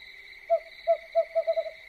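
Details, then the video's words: At night, an owl gives a series of seven mellow, mid-pitched hoots that speed up toward the end, over a steady high-pitched hum, with crickets also present. "Suara burung hantu yang menyeramkan"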